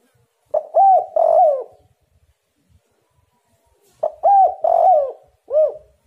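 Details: Spotted dove lure call intended to draw answers from other doves: two phrases, each a short note, an arched coo, a long rolling coo and a separate soft closing note, in a quiet setting.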